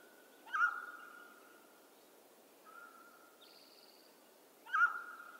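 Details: Western North American mountain quail giving two loud, sharp notes about four seconds apart, each sliding into a long even tone, with a quieter note and a brief higher buzzy call between.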